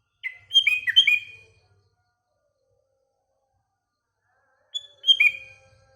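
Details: Morning song of a sooty-headed bulbul: a jaunty string of rich, dipping whistles, a faint low rumble beneath, a long pause, then a shorter phrase of the same bright, falling notes.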